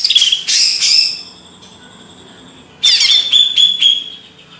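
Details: Greater green leafbird of Banyuwangi, Indonesia: clipped high chirps and slurred whistles, a held thin note through a lull, then a fresh loud bout of rapid chattering twitters with whistled accents.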